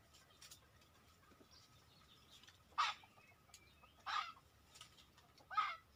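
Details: Red junglefowl approaching during a hunt. Three short, harsh clucking bursts come about 1.4 seconds apart over a steady faint hum, with soft, distant bird chirps in the background.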